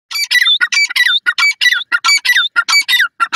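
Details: Francolin calling loudly at close range: harsh, grating squawks delivered in a rapid, continuous string of short bursts, about one and a half per second, with brief silent gaps and no other sounds.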